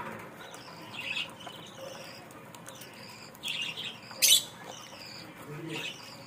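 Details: Budgerigar calls from Bangladesh: a few warbling chirps spaced a second or two apart, plus one sharp, loud squawk near the middle.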